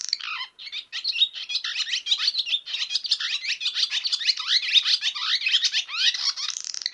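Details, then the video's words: Barn swallow singing a fast, continuous twittering warble of tangled chirps and slurred notes, high-pitched and unbroken for about seven seconds, with no other sounds heard. "Barn Swallow"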